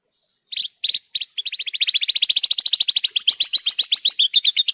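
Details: Horsfield's bush lark (branjangan) in a training recording for caged songbirds: a few separate chirps that speed into a long, even trill of sharp notes that climbs in pitch and then wavers.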